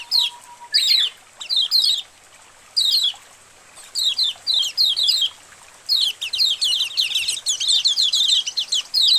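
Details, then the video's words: Many white-eyes calling together as a colony, used to stimulate caged birds into singing. Sharp descending chirps come in scattered groups, thickening into a continuous chatter toward the end. "Masteran Suara Koloni Burung Kecial Untuk Memancing Kecial Buka Paruh"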